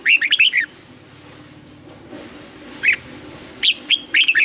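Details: Red-whiskered bulbul trained to sing at dawn opens with a fast warbling run of whistled notes, then pauses and adds scattered single chirps and a brief phrase at the end.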